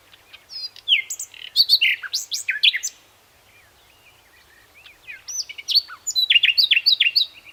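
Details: Common nightingale singing: two loud, varied phrases of sharp whistles, chirps and rapid clicking notes, split by a quiet gap of about two seconds, the second phrase ending in a fast run of repeated notes.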